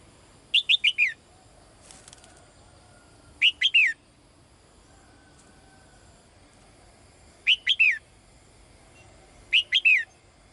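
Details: Female bird calling to the male: four bursts of three or four quick, high, chirped notes, each sliding downward, spaced unevenly over about ten seconds against a quiet background.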